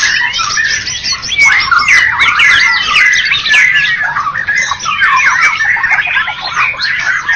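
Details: Contest-winning white-rumped shama (Medan and Java birds) pours out a rich, fast song of varied whistles, trills and chattering phrases, sweeping up and down in pitch without pause.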